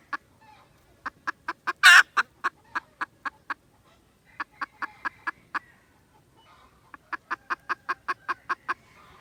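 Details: Red junglefowl on 16 December 2021 uttering bursts of quick, regular clucks separated by short silences, one loud rasping note near the start, and a faint whistled tone in the background.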